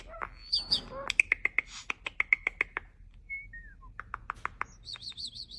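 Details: Starling mimicking human sounds: a quick jumble of squeaky whistles, then a series of evenly spaced sharp clicks with a buzzy undertone, a short slurred whistle, more clicks, and high warbling notes at the end.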